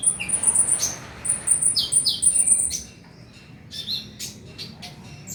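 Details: Playback of Oriental magpie-robin song to get a bird singing at night: rapid thin, very high chirps strung together for three seconds, then quieter scattered squeaky notes.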